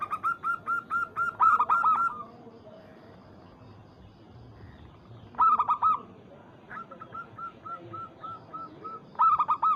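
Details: Local zebra dove calling a rival, used as a lure to provoke other doves into cooing: bursts of rapid, clipped, resonant notes in quick series, loud runs at the start and end with a softer, evenly spaced run between.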